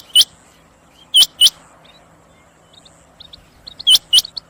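Rain quail giving sharp, high metallic notes, mostly in quick pairs a second or more apart; faint chirps of other small birds in between.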